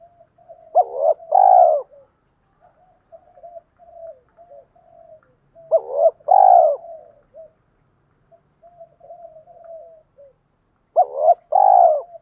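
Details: Spotted dove coos, male and female, used to make newly caught birds start cooing. A loud hoarse two-part phrase repeats about every five seconds, with quiet murmured cooing notes between phrases.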